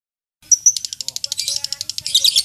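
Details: Lovebird used as contest-training master audio: two short high whistles, then a quick series of sharp chattering pulses that turns into a dense, scratchy burst at the end.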